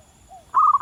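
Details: Zebra dove in the wild: a soft low slurred coo followed by the start of a loud, sustained rolling note.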